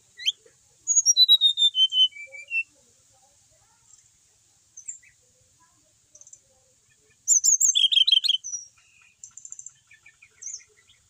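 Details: Sweet descending whistles open this brown-chested jungle flycatcher's singing, a settled cage bird from Bali in active song. After a pause, a burst of rapid high trills follows, then scattered soft chips.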